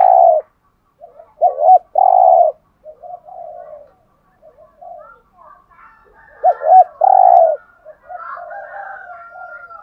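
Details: Cu gáy (spotted dove) song in the 'hạp bổi' voice, used to excite caged birds: low arched double notes each leading into a drawn-out coo, given twice, with soft twittering and a thin whistle in the background.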